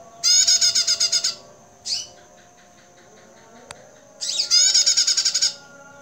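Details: A female bar-winged prinia, recorded as a lure and master call, gives two rapid bursts of about ten harsh, buzzy high notes, separated by a single short chip, over a faint steady hiss.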